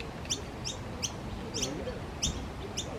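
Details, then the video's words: An Australian noisy miner gives short, sharp, high chirps in a quick series, about two or three each second, over a soft background hum. "Noisy miner bird making sounds"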